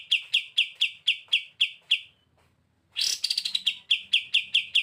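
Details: Pied Triller singing energetically in the 'bren' style, recorded as a master for tutoring: a steady run of bright chirps roughly four per second, a pause of nearly a second, then a loud rapid burst flowing back into repeated chirps.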